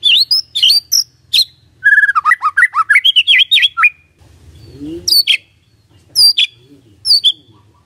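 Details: White-rumped shama song used as a lure to make a quiet bird respond: rapid varied phrases of whistles, twisting slurs and clicks, then a pause with a brief low sound before scattered high sharp notes.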